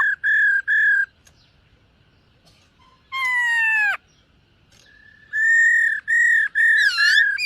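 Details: Silver-eared laughingthrush singing and dancing during a morning voice-training session: clear whistled notes near one pitch in paired bursts, a loud descending slurred note, then a run of rapid repeated whistles with rich overtones.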